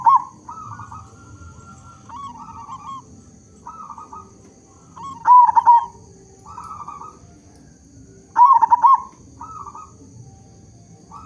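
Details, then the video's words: Local zebra dove in full voice, a lure to get other zebra doves singing: soft low cooing phrases repeat every second or two, broken twice by louder, wavering, throaty coo bursts, over a low background rumble and a steady faint high whine. "Perkutut Lokal Gacor Suara Besar Cocok Untuk Pancingan Semua Jenis Burung Perkutut Agar Bunyi"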